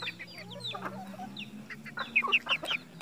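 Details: In a red junglefowl breeding setup in Mukomuko, Bengkulu, Indonesia, soft high chirps give way to a quick series of louder, sharp notes toward the end.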